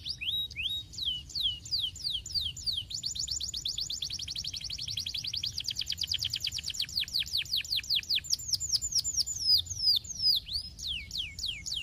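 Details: Canary singing continuously for training: rapid series of high, descending whistled sweeps that speed into a fast rolling trill, then slow again into separate swooping notes, with steady low background noise throughout.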